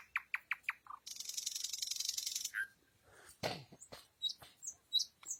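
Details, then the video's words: Nightingale singing at night, opening with four rapid clicking notes, then a long harsh buzzing trill, followed by scattered sharp high whistles and chipping notes with short silences between. "соловей поёт ночью 🌙 noch bulbul sayrashi Nightingale singing"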